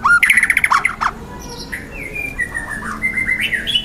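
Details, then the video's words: Young wild white-rumped shama in loud, dense song: a rapid run of bright chirped notes, then long level whistles and faint scratchy notes. "TEMBAKAN MURAI BATU MUDA HUTAN GACOR KERAS RAPAT MATERI KASARAN"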